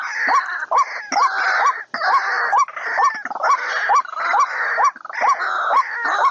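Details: White-breasted waterhen call used as a lure for trapping birds: short upward-hooked notes repeated about twice a second over a continuous harsh, grunting rasp, with brief pauses.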